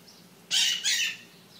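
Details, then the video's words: Maritaca parakeet in the morning giving a loud double screech, two harsh rasping bursts back to back, against a quiet background. "Maritacas Matinais"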